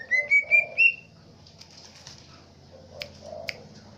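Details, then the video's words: Green leafbird from Aceh Tengah mimicking swiftlets: four quick, rising whistled notes, each a little higher, followed by near silence with a couple of faint clicks. "Cucak ijo isian walet"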